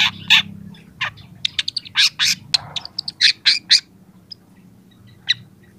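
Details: Young long-tailed shrike singing a varied chatter of rapid, scratchy and squeaky notes in quick uneven bursts that fade to a lone note, with a low hum underneath.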